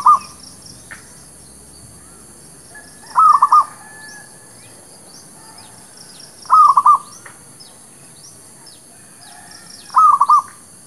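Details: Zebra dove, village merbuk used as a lure for catching birds; stuttered three-note cooing phrases repeated roughly every three and a half seconds, with soft chirps of other birds in between.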